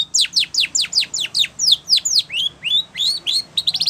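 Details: Spanish Timbrado canary singing a training song: rapid series of downward-sweeping whistled notes, then rising slurred whistles and a fast trill at the end, clean with no other sounds.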